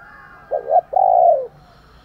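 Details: Close spotted dove coo given in the morning to provoke fighting: a quick two-part note followed by a long husky hoot that tails downward, over a quiet background.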